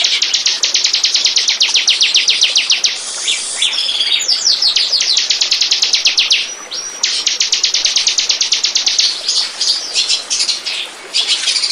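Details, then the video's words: Lure recording of a bar-winged prinia singing to draw in birds. Long runs of rapid, high, clipped notes repeat steadily, broken by short squeaky, twittering phrases and pauses, before the rapid series resumes. "Burung. burung ciblek pancingan"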